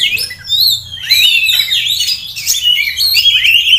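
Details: Caged Oriental magpie-robin kept as a prospective contest bird, singing a dense run of bright whistled phrases that slide and warble high, with quick chirps overlapping throughout and barely a pause.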